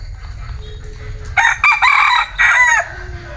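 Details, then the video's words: Male bantam chicken gives a hoarse, broken crow of about one and a half seconds, its final segment sliding downward, set against a low background hum. "Tiếng Gà trống tre gáy"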